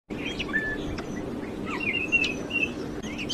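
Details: Sparrow chicks being fed by a parent: short, thin chirps and brief rising and falling tweets scattered through, some clustered together, over a steady low rumbling background noise.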